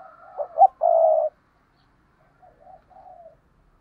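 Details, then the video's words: Spotted dove pair cooing. One bird gives a loud phrase of two short notes and a sustained low coo, and a fainter second bird answers with quieter soft coos. "Tiếng cu gáy đôi"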